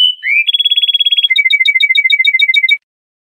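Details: An Iranian Lor-type European goldfinch's training song, used to teach juvenile songbirds: a clear held whistle and rising sweep, then a fast ringing trill and a quick alternation of high and low tinkling notes.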